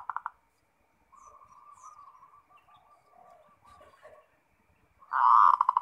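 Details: Zebra dove in 'ngerot' song, used to stimulate other doves to sing: a brief trilled start, a long faint wavering coo, and a loud rolling burst at the close.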